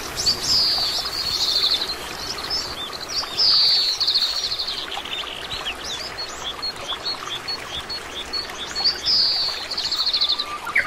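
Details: Oriental greenfinch, a common resident bird across Korea, giving three high phrases, each a clear descending whistle running into a buzzy, rattling trill, spaced a few seconds apart over a steady rushing background like flowing water.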